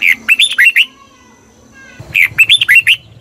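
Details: Red-whiskered bulbul from Thailand, a recording played to rouse caged birds or as a decoy: two lively phrases of five quick, bubbly whistled notes about two seconds apart.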